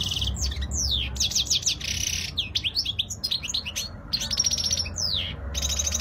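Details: European goldfinch of Spanish type in flawless song: dense, rapid stream of liquid twitters, buzzy trills and sweeping whistled notes, almost without pause, loud and close over a faint low hum.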